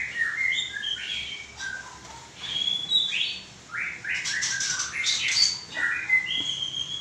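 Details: White-rumped shama singing: a busy stream of short whistles, chirps and sliding notes, with rapid clustered phrases midway, against a noisy hissing background.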